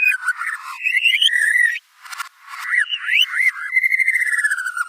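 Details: Energetic murai batu (white-rumped shama) song in gacor style: mixed whistles and harsh chattering, a brief break, then swooping slurred notes leading into a steady, finely pulsed trill that gently falls.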